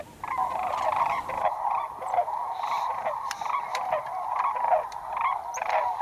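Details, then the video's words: White-naped cranes trumpeting in a group at Junam Reservoir, South Korea, while feeding around the fields and passing overhead. Many calls blend into a dense, continuous honking chorus that swells and fades. "Enchanting White-naped Crane Calls in South Korea"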